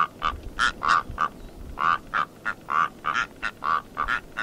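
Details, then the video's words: Rüppell's korhaan gives a run of hoarse, frog-like croaks, about three a second in uneven pairs and bursts, over a faint background hiss. "Vögel und ihre Stimmen - Rüppelltrappe"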